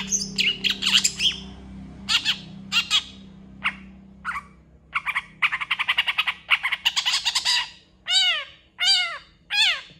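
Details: Lively long-tailed shrike song full of copied sounds, said to prompt replies from other shrikes: mixed harsh chatters and rapid chip series, then three drawn-out, down-slurred, mewing notes about a second apart, with a low hum beneath.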